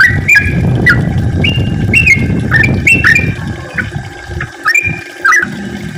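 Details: Yellow-vented bulbul singing to lure and set off other bulbuls: separate chirpy, gurgling phrases that rise and drop, spaced roughly half a second apart, over a low hum.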